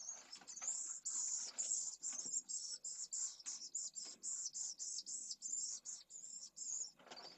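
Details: Pallid swifts screaming at their nest colony in a school in Jerez de la Frontera, Spain, in scorching heat above 45ºC, where a chick begging for food is ejected from a nest. Loud, dense, shrill buzzy bursts overlap in rapid, irregular succession.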